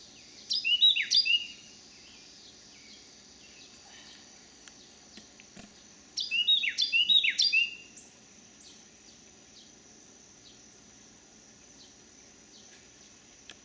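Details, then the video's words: In eastern Missouri on a summer day in 2018, a Carolina wren on a back deck gives two short bursts of bright, quickly repeated whistled phrases about five seconds apart, with a faint steady high insect hum and quiet gaps. "Carolina Wren singing its cheeriest call"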